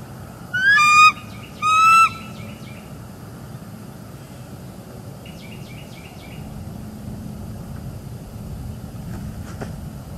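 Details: Bald eagles at a northeast Florida nest on an early January 2022 morning, the female calling and the male arriving to relieve her at the eggs. Two loud, rising, squealing notes are followed by fainter, quick, stuttering chips farther off.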